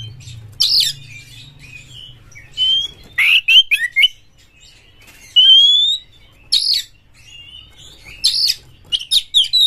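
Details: Fierce Oriental magpie-robin whose singing is meant to make another caged bird sing loudly and spread its tail. Sharp buzzy notes are interspersed with long, clear rising whistles, with pauses between phrases and a low hum at the start.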